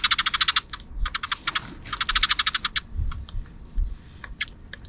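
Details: Afternoon sparrows off-camera: quick rattling series of high chirps, several bursts packed into five seconds, with a few soft low knocks underneath.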